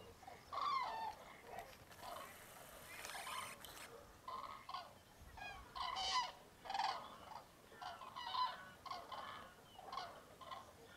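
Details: Cranes calling before sunrise at a big winter roost in Tablas de Daimiel, Spain, in freezing fog, mid-January. Separate trumpeting notes come in spaced bursts about a second apart, with a faint rushing noise around three seconds.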